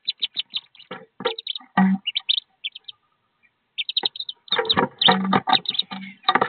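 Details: A brood of 13 wood duck ducklings in their nest box roughly 15 feet up, before jumping out to join their mother: clusters of piercing peeps broken by a short pause, with thumping and scratching sounds.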